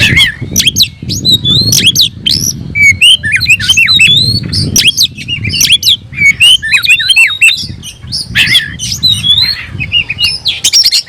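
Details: Oriental magpie-robin (kacer) in full voice while looking for a rival; fast jumbled whistles, squeaky upsweeps and harsh notes tumble almost without pause, with a low murmur underneath.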